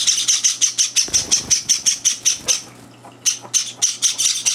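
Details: Young Java sparrows begging while being fed indoors, older birds butting in: fast rhythmic shrill squawks, a soft thump in the background, a short gap, then the calling resumes just as rapidly.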